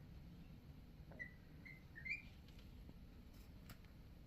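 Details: A young white fallow cockatiel (Nymphicus hollandicus), a growing female whose voice keeps changing, gives a few soft, brief whistled notes ending in a slightly brighter rising chirp; her owner is unsure why she makes this sound.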